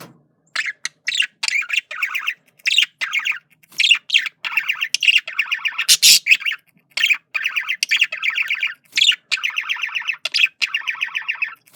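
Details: A male budgerigar courting with continuous warbling: dense, rapid strings of grating, chirpy notes in short phrases, broken by a single sharp squawk partway through.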